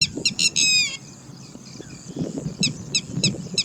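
Red-wattled Lapwing giving loud, shrill, harsh alarm notes: a quick burst of strident cries, then four spaced sharp calls, over low rumbling background noise.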